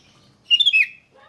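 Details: Sooty-headed bulbul song used as a lure to get other bulbuls singing: one short bubbly, warbled phrase of quick rising and falling whistled notes, loud against a quiet background.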